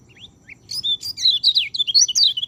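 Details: White-eye song used as a training recording for caged white-eyes that rarely sing: rapid high-pitched chirping twitter of short slurred notes, starting with a few separate upslurred whistles and building into a dense continuous warble.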